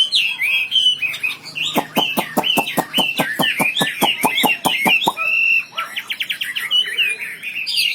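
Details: Wambi bird master song in gacor style: a whistled warble runs throughout while a fast series of sharp ticking clicks sounds through the middle, then warbling continues with short buzzy notes.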